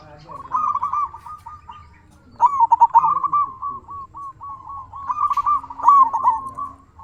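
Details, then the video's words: Local zebra dove song meant to prompt other doves to answer. Rolling, trilled cooing phrases repeat steadily with little pause between them, and a louder burst near the end. The background is quiet. "Suara burung perkutut sangat istimewa 100% auto nyaut"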